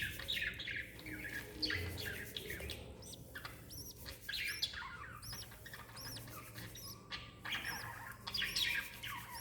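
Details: Lovebird mother and chick, 26 December 2021, giving a steady chatter of short arched high chirps and scratchy twitters, repeated many times over a low background hum.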